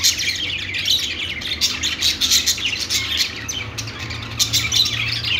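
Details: Group of budgerigars in a pet store giving rapid high chirps and warbled twitters, overlapping without pause, over a faint low indoor hum.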